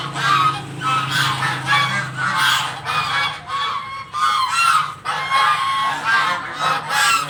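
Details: A flock of household geese clamours for its breakfast, harsh honks rising and falling in overlapping waves with hardly a pause, against a low droning background.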